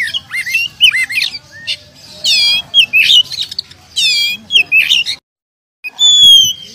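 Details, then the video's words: A champion, prize-winning Oriental magpie-robin sings a loud, varied run of whistles, squawks and rising and falling slurred notes, broken by a short pause before a clear high whistle. "Kacer Jawara"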